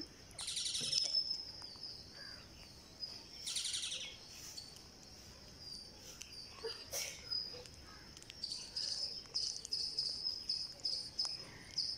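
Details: Green parakeet begging while being fed on day 49: shrill, high, rapidly repeated chirps held near one pitch, broken by louder raspy bursts, with quieter stretches of faint chattering between.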